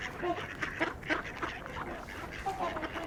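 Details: Mallards, a mix of males and females among a winter flock of trumpeter swans and Canada geese at LaSalle Park, Burlington, Ontario, March 2021, give rough, nasal quacks in a loose overlapping series, several in three seconds, with a person talking softly underneath.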